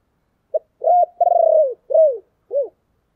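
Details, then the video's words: A single 'chìm' lure coo of a spotted dove, used to call others in: one short note, then a long vibrating coo, followed by two separate drooping notes, clean and close with no other sounds. "tiếng chìm cu gáy"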